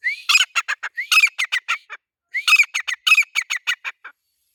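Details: Male grey francolin calling: two loud bursts, each opening with a rising whistled note and running into a fast string of harsh, ringing notes, with a short silent gap between bursts.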